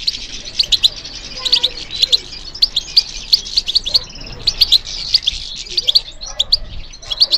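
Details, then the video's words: European goldfinch singing in response to stimulation: a continuous bright, tinkling twitter with scattered sharp chirps and a brief soft whistle, over light background hiss. "How to encourage the goldfinch to respond to stimulation"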